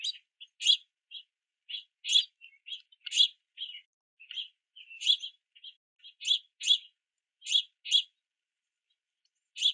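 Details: Begging chirps of juvenile house finches at a backyard feeder during rain, parents bringing sunflower seeds; rasping short notes in irregular clusters, with a few softer, lower chirps between the louder calls.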